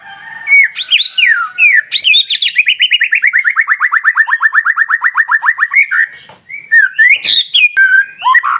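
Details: White-rumped shama singing to lure other shamas: looping whistled notes, then a long fast trill sinking gradually in pitch, a brief pause, and a varied mix of sharp and slurred whistles.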